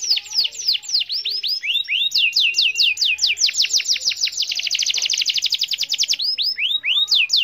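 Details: Canary lure song meant to prompt mute canaries into singing: loud varied phrases of swooping downward whistles, then a fast rattling high trill, breaking back into repeated curved slurred notes.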